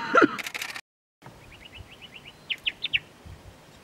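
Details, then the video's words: White-spectacled Bulbul at a drinking trough at Ayn Tobruk, Salalah, Oman, 21 February 2016: a quick run of thin rising chirps, then four louder clipped notes; a man's voice briefly first. "White-spectacled Bulbul"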